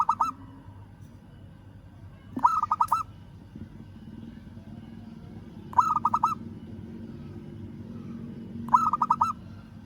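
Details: Local zebra dove, perkutut, calling to a rival: three bursts of rapid stuttering coos, each a quick run of short notes ending in a few clear hoots, spaced about three seconds apart over a low steady hum.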